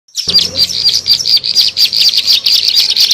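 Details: Bar-winged prinia calls used as a bird lure: rapid, sharp, high chirps repeated in a busy, uneven chatter, about two notes per second, clear and loud against a quiet background.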